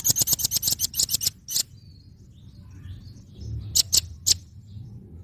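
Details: Red-billed nuthatch song used as a tutor recording for training cage birds, described as fierce: a fast run of sharp, very high ticking notes about ten per second, then a pause and three more separate sharp ticks.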